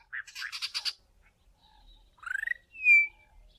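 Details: Young Bokmakierie practising its song, trying various sounds like a babbling baby: a quick run of harsh buzzy notes, a rising rattled phrase, then a clear flat whistle, over faint low rumble.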